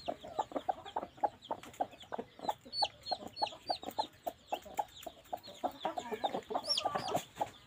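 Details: Two hens laying eggs in the nest, giving steady low clucks about three a second, with scattered higher squeaky notes and a louder cackling burst near the end.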